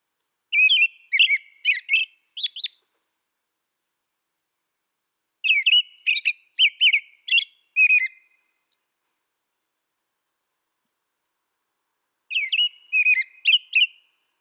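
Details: American robin song in three bursts of clear whistled phrases, each burst about two seconds long with four to five warbled notes, separated by pauses of several seconds; no other sounds.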